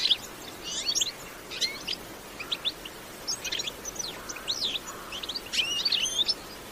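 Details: Lively bitbita song of a European goldfinch from nature, no effects: separate bursts of high, liquid twittering and quick upswept notes with short pauses, over a soft hiss.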